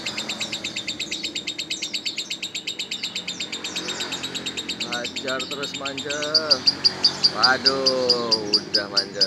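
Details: Lovebird chattering in quick high pulsed bursts, turning to sharper, louder repeated notes in the last few seconds; a person talks briefly partway through.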